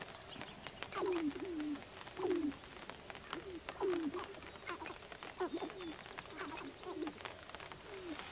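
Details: Sharp-tailed Grouse at a lek in Northern Wisconsin on April 29, 2021, giving low, hollow, falling coos about every second, with soft clucks and rattling clicks mixed in.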